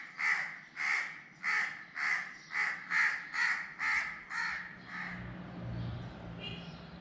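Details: Crow cawing in a series of nine harsh, evenly spaced caws about every half second, then fading into softer calls, with faint higher chirps near the end.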